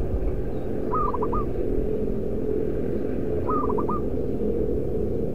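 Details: Loud local zebra dove kept as a decoy, singing two short phrases of a drawn coo and quick bouncing notes, roughly two and a half seconds apart, over persistent low background rumble.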